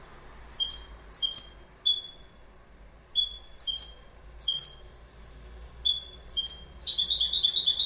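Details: Goldfinch calling with a series of brief, sharp, high notes, mostly in pairs with short gaps, before slipping into a quick tinkling twitter at the close.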